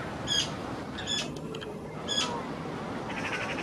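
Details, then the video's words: Young magpie pestering a parent for food while two slightly older young forage side by side; harsh, squawky calls with bright overtones, three sharp bursts roughly once a second over steady background rumble. "Young Magpies"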